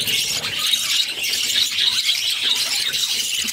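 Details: During feeding by the mother, a budgie's six chicks keep up a loud, unbroken, raspy high squealing that barely pauses over a few seconds.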